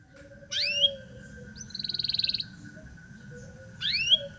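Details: Local canary, song used to teach young canaries, here giving two sharp rising upswept whistles with a short buzzy trill between them, separated by quiet pauses over a low background hum.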